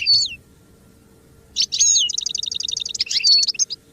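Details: Goldfinch singing, song used for song training: a short high twittering phrase, a pause of over a second, then a fast run of bright repeated chirps and twitters, steady faint hum underneath.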